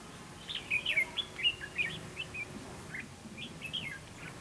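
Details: Red-whiskered bulbul song at a fighting trap, provoking rival males to fight: a quick run of bright, chirpy whistled notes, rising and falling, with brief pauses, over a faint low background hum.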